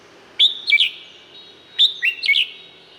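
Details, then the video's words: Thai Red-whiskered bulbul singing two matching bright whistled phrases of three or four notes about one and a half seconds apart, with a ringing echo and a low background hum. "เสียงนกกรงหัวจุก สำหรับต่อ หรือ เปิดให้นกคึก เสียงเพราะๆ"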